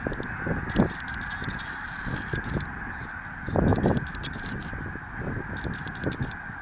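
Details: Flock of snow geese calling at Merrill Creek Reservoir: a steady murmur of many honking birds, with louder bursts of overlapping honks near the start and again around the middle, plus scattered sharp clicks.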